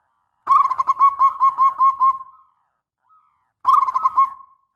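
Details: Zebra dove singing its long master song: a two-second run of rapid, evenly pulsed mellow coos fading out, then after a pause a shorter rolling phrase.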